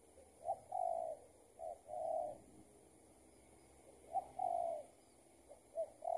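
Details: A spotted dove, an escaped decoy with a tether, replies to a trapper's lure; quiet, distant low coos in pairs of short and long notes, separated by a pause, over steady hiss.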